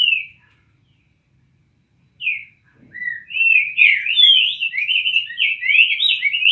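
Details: Song of cinnamon tanagers: one whistled note, a pause, then a rising slur that builds into a fast, continuous stream of warbled, chattering phrases.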